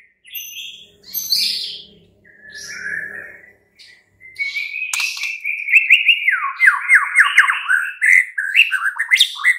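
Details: Night lure song of a White-rumped shama meant to make a caged bird answer: short whistles at first, then a sustained whistle breaking into fast trilled, rippling notes.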